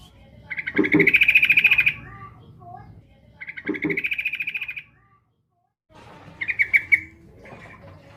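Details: Female Yellow-vented bulbul calling the male with short, rapid chattering trills, two strong bouts and then a quieter broken one. Faint low sounds are heard between them.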